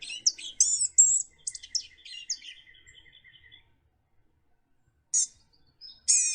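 Blue-gray Gnatcatcher: a thin, high, chattering run of squeaky notes, then a pause and two short, wheezy, nasal notes about a second apart.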